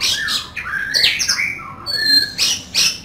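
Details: A kacer, Oriental magpie-robin, giving rough fill-in song: slurred downward whistles, a clear steady high whistle, and harsh scratchy bursts, roughly one phrase per second.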